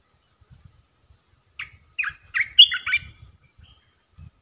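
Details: A resident territory-holding red-eyed bulbul calls with a brief series of clear, jerky chirps and chattering notes in a quiet setting.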